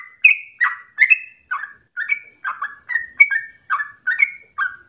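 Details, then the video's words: Yellow-vented bulbul singing as a lure to set other bulbuls singing continuously; a string of bright, chattering whistled notes, short slurred phrases spaced evenly, slightly softer than neighbouring recordings. "PANCINGAN TERBAIK agar trucukan menjadi gacor ropel nafas panjang"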